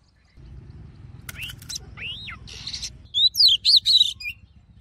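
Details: Wild-style Oriental magpie-robin song for rousing males: after some background noise, a few slurred whistles and a raspy buzz, then a quick burst of sharp, zigzagging high whistles.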